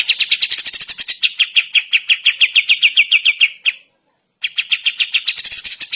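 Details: Morning song of a sooty-headed bulbul, a fast rattling series of sharp repeated notes that slides slightly lower, breaks off briefly, then resumes at the same quick pace.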